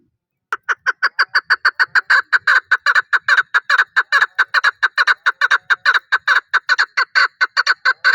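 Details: Chukar partridge calling: a long, fast series of loud clucking chuk notes, roughly two per second, steady and rhythmic throughout, with no other sounds heard.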